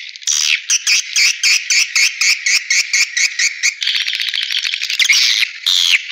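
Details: Swiftlet call used to lure the birds into bird houses: evenly spaced, high, buzzy chirps at about two per second, followed by a faster rattling trill and a final drawn-out chirp.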